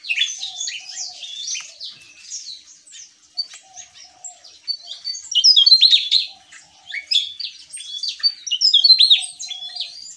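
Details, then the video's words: A Javan tesia sings vigorously: a rapid, tumbling jumble of high, sharp whistles and twittering notes in energetic bursts, over a faint low hum. "Burung TESIA JAWA Gacor Ngeplong"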